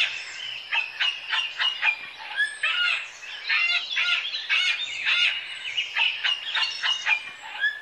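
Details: Rapid run of rasping, screechy squawks from sulphur-crested cockatoo, loud broad bursts packed closely together with a few higher whistled notes mixed in.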